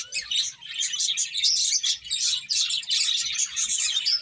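Several finches chirp continuously, a dense chatter of short, high, bright tweets that overlap with barely a pause throughout.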